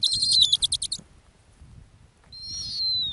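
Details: Female snowy owl on an Arctic ground nest gives a quick run of about eight high pulsed notes, then after a pause one long shrill whistled scream that slides downward at its end.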